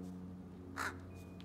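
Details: Crow courtship before nesting, with a female displaying to a male around nesting time: one brief harsh caw rising out of a quiet background with a low steady hum.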